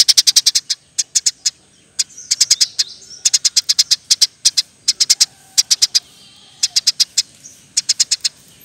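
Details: Eurasian tree sparrow in rapid, dense song meant for training other birds: repeated bursts of sharp, high chirps in groups of three to six, nearly continuous throughout.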